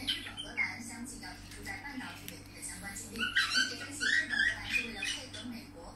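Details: A budgerigar sings a long chattering warble, gritty clicks giving way to bright rising and falling whistled notes in the second half, with a low constant hum behind.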